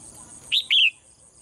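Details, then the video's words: Morning song of a caged female bird in Thailand: a single double chirp, short upper note then a drawn-out falling whistle, against a faint continuous high hiss. "เสียงนกร้องเจี๊ยก ๆ ไพเราะมาก"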